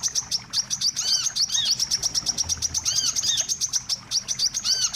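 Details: Bird-trapping lure of the wiceh: quick, regular high chirps pulse several times a second while curved, descending whistles repeat in pairs over the top.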